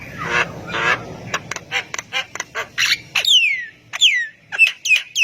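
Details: Javan myna (jalak kebo), singing hard so other mynas join in: grating squawks and quick clicking notes, then loud slurred whistles dropping in pitch, repeated roughly every half second toward the end.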